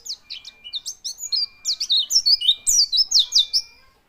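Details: White-eye quivering as it sings a lively, accelerating warble of high, clear downslurred whistles and chirps, run together for about three seconds before fading out.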